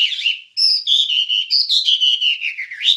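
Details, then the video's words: Wambie song recorded to train songbirds: loud, continuous warbled whistles shifting up and down in pitch with short choppy pulses in between. "Ocehan Suara Burung Wambie"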